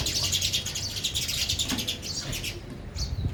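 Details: Sparrows eating at a feeder chatter in a continuous stream of quick high chirps, busy and overlapping, thinning toward the end, with low background rumble.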